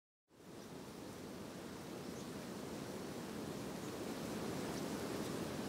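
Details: Broad, rushing noise like surf or wind fades in after a brief silence, with no animal calls.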